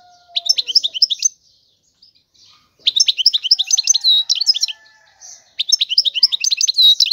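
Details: Three bursts of European goldfinch song separated by short pauses, each a fast jumble of tinkling high chirps and slurred whistles.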